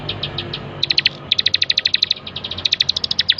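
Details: Master recording of a bar-winged prinia for bird training, several bursts of rapid, high, ticking chirps, the longest a steady run of twenty-odd clipped notes, with a soft background hum.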